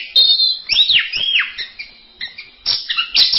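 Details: Master song of an orange-headed thrush, recorded to train songbirds: looping, arched whistles rising then falling, followed by a pause and then sharper chirped notes, clear and prominent.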